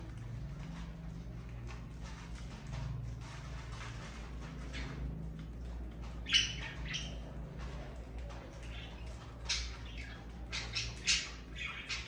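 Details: Pet budgerigars on a morning tour of the owner's birds; scattered short squawks and chirps, sharper and louder in the second half, over a steady low indoor hum.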